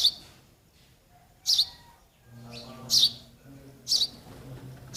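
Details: Baby sparrows awaiting their parents give a few sharp, high chirps spaced over a second apart, with a low hum in the background.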